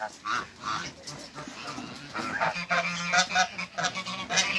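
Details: African geese, a couple meeting on a farm, trading quick, irregular honks and softer gabbling notes, with a steadier nasal call building in the second half.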